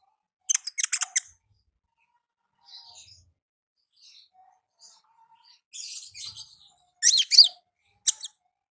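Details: Olive-backed sunbird heard in the wild, giving ngalas song: an opening rattle of very high chips, softer scattered notes, then buzzy chattering bursts and a final sharp chip.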